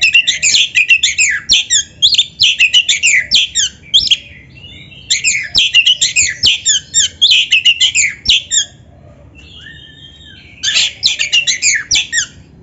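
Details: Kacer magpie-robin song played to train caged birds to sing: long, fast bursts of harsh chattering and twittering notes, several seconds each, split by a quieter pause with soft whistles.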